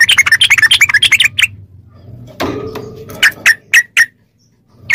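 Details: Yellow-vented bulbul in recording used as therapy for caged bulbuls: a fast burst of sharp chirps, then a rustling noise and low hum, followed by a few spaced single notes.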